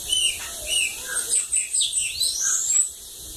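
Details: Sibite, described as a 'cachorro loco' from a water lagoon, singing high thin notes: short whistles around the top register, then a rising and falling sweep, repeated rapid phrases.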